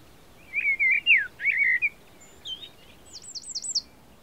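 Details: Common blackbird singing in the Baie d'Audierne, Finistère, Brittany, France, between late April and early May 2022: low, fluty warbled phrases, then a softer pause and a thin, high twittering flourish at the end.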